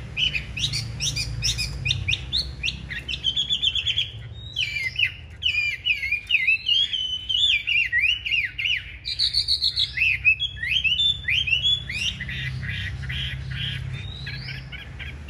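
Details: A long, lively song from a caged Chinese hwamei during a fighting display, with dense bursts of sweeping whistles and buzzy chirps in quick, uneven succession over a faint low rumble.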